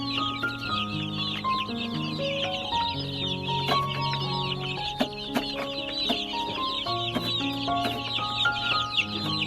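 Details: Baby chicks, about a hundred, producing a constant shrill chorus of short peeps, accompanied throughout by a prominent slow melody of sustained music notes.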